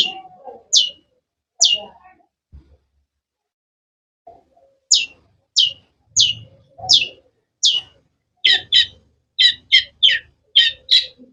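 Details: Cendet, the long-tailed shrike, sings sharp single chirps spaced about a second apart, then a short silence before steady rhythmic notes that quicken into a dense repeated series near the end.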